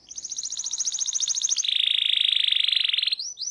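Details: Local canary, a training recording of full song with rolls, sings a long rapid trill high at first, then drops into a lower buzzy roll, ending in rising whistled notes.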